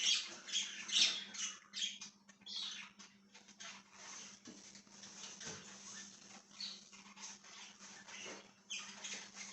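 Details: Budgerigar recorded 1/6/2023 produces a busy, buzzy chatter, loudest in the first second, then a softer grating warble with scattered clicks over a steady hum.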